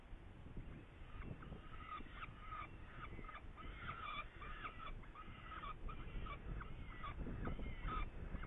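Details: Saker falcon, Hungary, 8 May 2019, with prey: rapid run of short, hoarse calls, roughly three per second and unevenly spaced, layered over a continuous low-pitched rumble.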